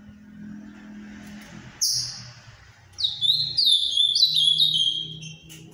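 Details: Legally kept ultramarine grosbeak called Azulão do Paraná, its song rated the finest in Brazil. A lone piercing whistled note is followed after a pause by a quick run of clear descending slurred whistles over a soft low background hum.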